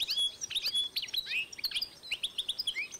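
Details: Goldfinch-canary hybrid recorded in 2012 giving a dense three-second stream of high twittering notes and slurred chirps.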